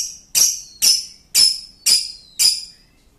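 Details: Lovebird long laughing song meant as a lure call: five loud, harsh, high rasping notes, each about half a second apart and fading, in otherwise quiet surroundings.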